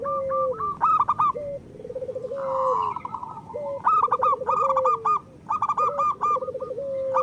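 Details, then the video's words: Local zebra dove song for coaxing birds to sing: lively stuttered coo bursts alternating with lower rolling phrases that end in a long flat note, repeated every couple of seconds. "Perkutut lokal gacor Masteran Perkutut Suara Kristal"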